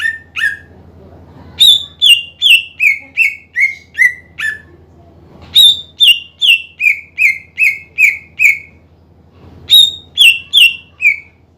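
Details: Greater green leafbird singing energetically to provoke lazy rivals into song: three runs of crisp whistled notes, each opening high and sliding lower note by note at a steady quick pace, with short pauses between runs.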